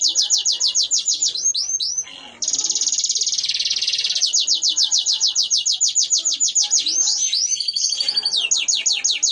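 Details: Fighting canary pouring out a training song of very rapid, sharply repeated high chips forming rolling trills, broken by a brief dense buzzy burst, then continuing at a steady fast pace.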